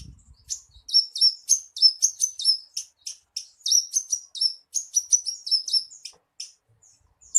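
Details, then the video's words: Horsfield's bush lark song played to coax a captive bird into song: a long fast chatter of sharp high buzzy notes, with a faint low thump at the start. "SUARA PANCINGAN BURUNG BRANJANGAN AGAR CEPAT GACOR"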